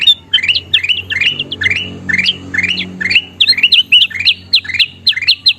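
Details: Lively bulbul song, kutilang emas, for training caged birds to sing: paired and tripled rising whistle notes repeated roughly every half second, even in rhythm, louder toward the end, with a soft low background hum.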